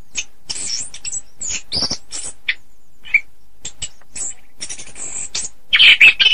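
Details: Masteran recording of orange-headed thrush: scattered sharp, high chips and short buzzy phrases, then a louder cluster of warbled whistles near the end.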